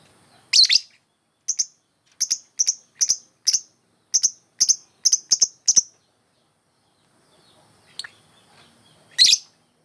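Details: Lovebird used as a singing model for training other birds, giving a run of short, sharp high chirps in quick bursts over about five seconds, then a quiet gap and one more harsh chirp near the end.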